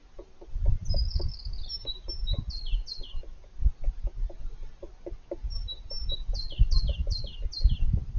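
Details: A male European green woodpecker digs his nest deep inside the trunk of an old apple tree. Dull, low knocks and thuds from the chiselling repeat quickly and unevenly. High, thin chirps from other birds come in short bursts above.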